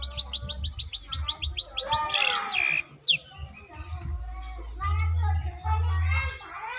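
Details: Long-tailed shrike from South Malang, tutored to mimic lovebird and canary; opens with a rapid series of sharp, repeated high notes, then a harsh squawk and mixed chirps, with faint voices and low hum behind.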